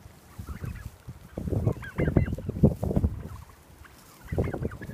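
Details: Domestic heritage turkeys following people on a walk through pines to pasture give short, nasal, honking yelps in uneven bursts, with low rumbling thuds from footsteps or handling underneath; a grey hawk visits nearby.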